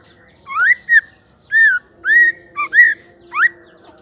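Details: Female white-rumped shama voice played to stir males to sing: seven separate loud whistles, mostly rising upslurs and short falling notes, spaced about half a second apart, with a faint low hum behind.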